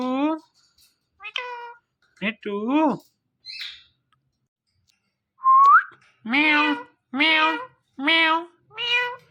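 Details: Talking ringneck parrot producing a series of meow-like mimicked syllables with a short rising whistle in between; the later notes come evenly, roughly one per second, full and harmonic.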